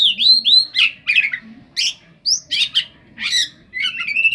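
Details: Oriental magpie-robin song rich in mimicked cendet phrases. Harsh squawky bursts and fast chattering notes alternate with short rising whistles, delivered in quick clustered bouts with brief gaps. A clear, steady whistle closes the passage.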